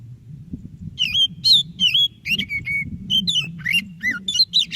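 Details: A vigorously singing white-breasted Oriental magpie-robin, used to coax a lazy magpie-robin into song: quick continuous sequence of whistled slurs, buzzy chirps and falling notes against a low rumbling background.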